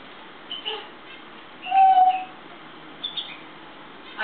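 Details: African grey parrot in a good mood, indoors on a kitchen table in the morning: a clear whistled note near the middle, with a few faint squeaky chirps before and after.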